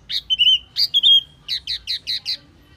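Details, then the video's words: Wambi mini lure call with a thin level whistle broken by sharp chirps, followed by a tight burst of six rapid, evenly spaced high notes. "Suara Pikat Burung Wambi Mini"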